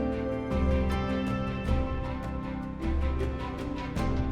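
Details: Soft, slow instrumental music with sustained low tones and no animal voices.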